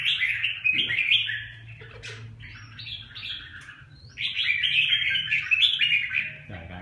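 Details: Red-whiskered bulbul delivering loud, rapid, liquid warbling phrases, quick chirps tumbling up and down, a short gap near the middle, then a second energetic burst; faint low hum and a brief thump at the end.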